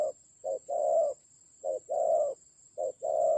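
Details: In a fierce fight in Vietnam's Central Highlands, 19 October 2020, a decoy spotted dove gives paired coos, a brief note then a longer hoarse one, three times, with a steady high-pitched hum in the background.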